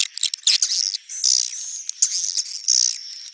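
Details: Swiftlet calls in a 'neutral' style: dense, high, shrill twittering chirps in overlapping bursts, with a thin steady whine running beneath.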